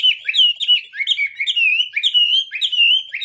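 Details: A Chinese hwamei delivers loud, fluid whistled phrases, sliding notes run together into a lively, unbroken song with clean surroundings.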